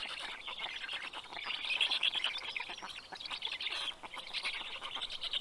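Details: Black stork young in a nest in southern Estonia's Karula National Park, 11 June 2023 around 11 am, begging as the adult brings fish; rapid, uneven raspy chattering, rising to a louder squealing peak midway.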